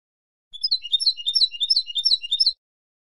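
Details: Female European goldfinch calling to stir a silent male into song: a rapid, high twittering chatter of thin, bright chirps lasting about two seconds, with no other sounds.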